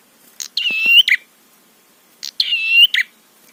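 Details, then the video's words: Prinia song used as a lure to provoke other prinias into calling: two phrases, each a short buzzy note, then a sustained, harmonic-rich, slightly rising whistle of about half a second, ending in a harsh buzzy burst. Quiet background. "Masteran Suara Trapi Prenjak PANCINGAN EMOSI BIKIN BUNYI"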